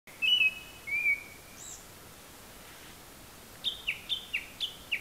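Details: A Japanese thrush singing from very high up gives a few clear, high whistled notes, then a quick run of six sharp, down-slurred notes, about four a second, over faint hiss; it seems to imitate various other calls.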